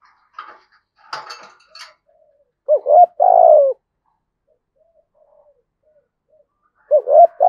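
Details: Lure spotted dove in the "thổ" voice style. Faint rustling and knocks come first, then a clear phrase of a short wavering coo and a longer falling coo, and a new phrase begins at the end.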